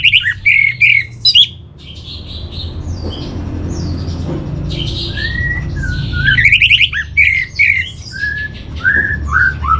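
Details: Orange-headed thrush song used as a training master for kept birds: varied rich whistled phrases with buzzy, rapid trills and squeaky notes in two bursts separated by a quiet gap, over a low steady hum.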